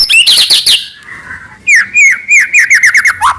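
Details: White-rumped shama song used to provoke other shamas into singing: loud varied phrases, a burst of high whistles and buzzy notes, a short pause, then a rapid run of repeated downslurred whistles.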